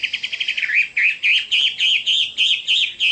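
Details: Chinese hwamei singing: a fast run of short chirps that turns into loud, clear whistled phrases, each rising and falling, repeated several times a second.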